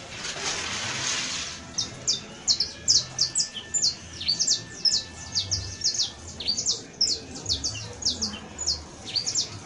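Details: Canario criollo, the saffron finch, in full 'professional' song: after a burst of hiss, a rapid, uneven stream of sharp, high, downward-sliding notes, some paired, over a low constant background noise.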